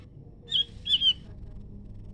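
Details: Leafbird singing in answer to a scarlet minivet: two short, bright whistled notes, the second longer and slightly falling, over a low steady hum.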